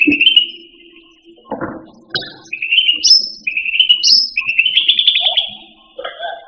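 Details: Pet cucak rante song meant for tutoring other caged songbirds: a run of steady whistled trills stepping between mid and higher pitches, with short rasping bursts and a few lower warbled notes near the end.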